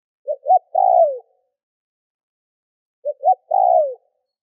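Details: Decoy spotted dove calling to provoke wild doves into answering: two phrases, each three brief stuttering notes leading into a sustained coo that falls in pitch, spaced about three seconds apart.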